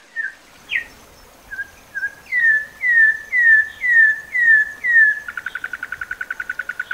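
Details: A Campo troupial gives its "metralha" (machine-gun) song type: a few scattered whistles, then six rich, falling whistled notes about twice a second, ending in a fast machine-gun rattle of short notes.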